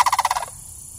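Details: One of two juvenile sandhill cranes greeting a person in a city, filmed on an iPhone: a single quick burst of about eight evenly spaced rattling pulses, then silence.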